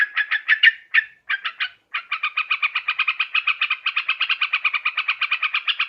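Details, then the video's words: Yellow-vented bulbul call for luring birds: a few loud separate groups of harsh notes, a short gap, then a rapid, even chattering series to the end. "Suara trucukan khusus buat mikat"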